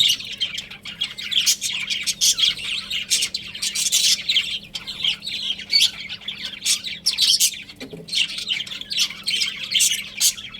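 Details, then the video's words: Budgerigars, a breeding pair kept as pets, keep up an unbroken stream of busy, harsh chirping and squeaky chatter, loud and dense throughout, with a low constant hum underneath. "Adorable Budgies Chirping Sounds"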